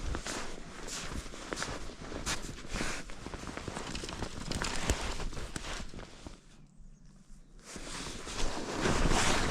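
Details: Footsteps tramp steadily through a winter wood, crunching and shuffling over the ground with a faint outdoor hush and no clear animal calls.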